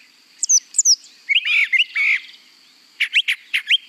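Brown Thrasher singing bright, varied phrases, each given in a quick pair: high slurred notes, then lower rich warbles, then sharp chips, over a faint steady hiss.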